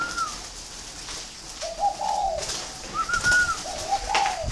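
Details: Spotted dove from a northern Vietnamese breeding farm in Ba Vì, Hanoi, kept as a prized singing bird. It gives soft, low, rounded coo phrases, with higher clear whistled notes mixed in and a faint background hiss.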